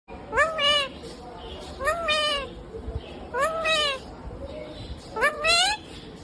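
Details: Pet rose-ringed parakeet talking, said to say mummy papa: four nasal, harmonic two-part utterances, each rising then falling, spaced about every one and a half seconds over a low background hum.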